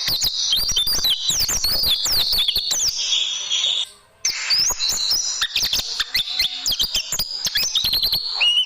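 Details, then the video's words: Caged oriental white-eye song used as a tutoring recording for training birds: dense, rapid high chirps and twittering trills, continuous apart from a brief pause near the middle. "Masteran Burung Pleci Dan Tembakan Super Ampuh Pleci Juara"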